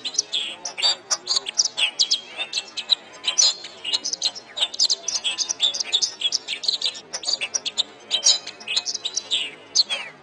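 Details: Canary training song for kept songbirds: long, steady stream of piercing high chirps, quick trills and a few rising whistled slurs, delivered at an even loud level.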